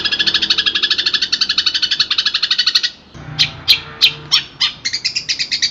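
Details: Training song of a long-tailed shrike, full of varied phrases: three seconds of quick rasping chatter, a brief gap, scattered sharp scratchy notes, then the rapid chatter returns.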